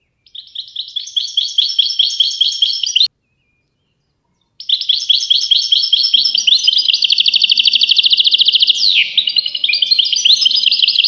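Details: European goldfinch singing: rapid high twittering trills and rolled phrases, a pause of about a second and a half, then a long continuous run of fast buzzy rolls and tinkling notes.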